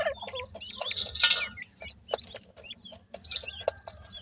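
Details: Young francolins chirping in summer: overlapping high peeps, slurred whistles and sharp clicks, densest in the first second and a half, with a faint low hum underneath.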